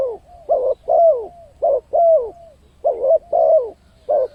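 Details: Spotted dove giving a lure call to attract wild birds: steady, loud two-note coos, a short lower note followed by a longer descending one, repeated rhythmically about every 1.2 seconds in a quiet setting.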